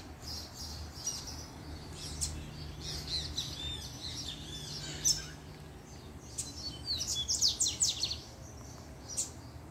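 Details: Coleiro (double-collared seedeater) from a managed captive pair, singing as the female appears: scattered high chirps build into a fast, bright burst of rapid notes near the end, over a faint low hum.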